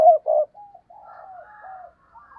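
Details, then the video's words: Spotted dove used as a decoy, cooing to draw in wild doves: two strong, low, rough coo notes open, then a long, softer murmuring trail of wavering coos. "Tiếng Chim Cu Mồi Thúc Gù/ chim cu gáy kích bổi/ mở là gáy"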